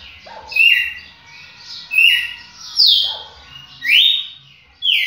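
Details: Red-cowled cardinal song: clear whistled phrases sweeping down in pitch, given about once a second, bright and loud over a quiet background.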